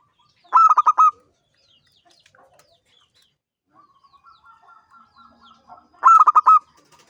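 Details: Zebra dove (perkutut), a champion local bird in full ngancing song: two loud bursts of quick, pulsed coos about five seconds apart, separated by a faint, evenly repeated cooing series from another dove.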